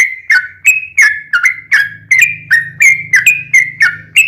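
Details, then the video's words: Lively yellow-vented bulbul giving long rapid-fire ropel panjang song as a lure to draw an answer from other bulbuls; crisp slurred whistles repeated about three per second over a faint low hum. "SUARA trucukan gacor ROPEL PANJANG pancingan trucukan agar bunyi"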